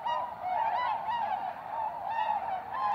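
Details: Many tundra swans at Goose Pond, Columbia County, Wisconsin, USA, in March 2016 on their spring return; loud, continuous honking with wavering, yodel-like notes rising over a thick flock chorus.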